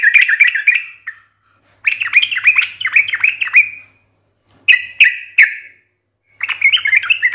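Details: Yellow-vented bulbul in lively song, sharp fighting-style ngalas: repeated bubbling warble phrases separated by short gaps, with one pair of clear chirps.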